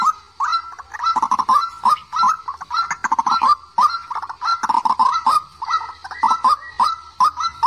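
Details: Lure recording for bird traps of a young white-breasted waterhen ('quốc tơ', smudge-faced): loud croaking notes in quick clusters, each with a short upward kink, repeated through the whole stretch.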